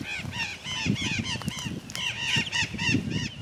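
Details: A pair of blue-winged macaws in the sertão of Bahia, Brazil. Harsh, raspy squawks follow one another in quick succession, with rustling and low rumbling noise underneath.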